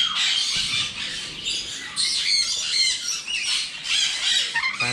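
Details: Patagonian conure (burrowing parrot) at an exotic bird breeding farm in Chennai giving harsh, grating squawks roughly every two seconds, mixed with a busy chorus of other parrots calling.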